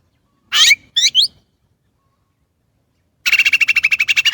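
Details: Chinese blackbird producing two scratchy, buzzy notes, then after a silence a fast rattling trill of repeated harsh pulses.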